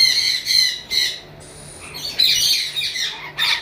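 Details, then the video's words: Lory parrot screeching: a few loud, rasping squawks, a quieter spell with a thin high tone, then more shrill grating calls. "lory parrot"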